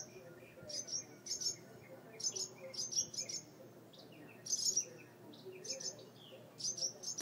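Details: Birds defending a mud nest on a porch light fixture, two chicks inside, calling while the door is open: softer, steady series of high, bright chirps in twos and threes, quieter than nearby bursts.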